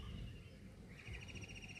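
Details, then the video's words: In the morning under gathering rain clouds, a kingfisher perched atop a tower screams: a shrill, rapid trilling in the second half, its notes running together into a harsh rattle over a steady low rumble of wind. "মাছরাঙা পাখিটা কি চিৎকার করছে।"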